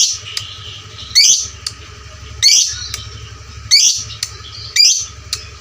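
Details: Lovebird used for training fighter lovebirds gives loud, grating, shrill squawks about every second and a quarter, five in all, with faint short clicks between them.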